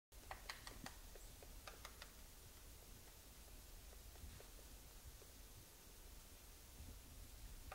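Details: Female white-backed woodpecker, first misidentified as Japanese pygmy woodpecker, pecking a beech tree while foraging in January in a Tokyo University forest in Chichibu: irregular burst of about a dozen dry taps, then faint ticks over low rumble.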